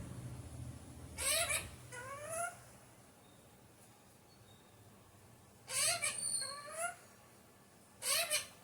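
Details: An Alexandrine parakeet, described as a naughty parrot, gives grating squawks in pairs, each call sweeping upward, three bursts across several seconds over a soft room hum.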